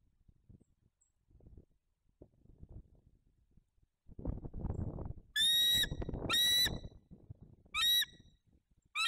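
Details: Bald eagle at the nest while incubating one egg, 3 November 2022, live nest camera: after rustling and shuffling, a series of four piercing, squealing, harmonic calls roughly one second apart, the last cut short.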